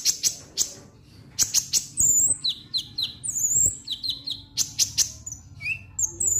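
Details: Lovebird chatter used to prompt other lovebirds to sing: sharp high clicks and tinny chirps, then buzzy descending squeaks in quick bursts, over a low background hum.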